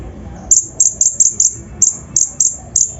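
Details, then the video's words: Konin, the brown-throated sunbird, singing a lure song with rough 'isian' filling to stir up other birds: about ten piercing, very high notes, each sliding slightly downward, spaced roughly a third of a second apart. "PANCINGAN KONIN BAHAN FULL ISIAN KASAR COCOK UNTUK MENAIKAN EMOSI BURUNG BAHAN"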